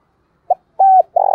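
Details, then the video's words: Spotted dove cooing to lure wild doves, 2023: a short clipped note, a steady level coo, then the start of a rough rolling burr, cut off mid-phrase. "cu gay kich boi nhanh noi gù"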